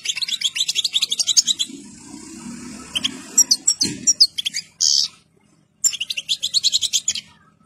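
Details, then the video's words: European goldfinch in full breeding condition and complete plumage. Bursts of rapid, high, tinkling twitters come in quick runs, with a soft low rumble in the middle and a brief buzzy note near five seconds. "الحسون الاصلي جاهز ومحني ثوب كامل مقطع روعة"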